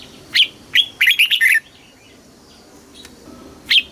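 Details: Red-whiskered bulbul song, Thailand, southern master style used to rouse caged birds and train chicks: two spaced chirps lead into a fast run of about five warbling notes, followed by silence and one final chirp.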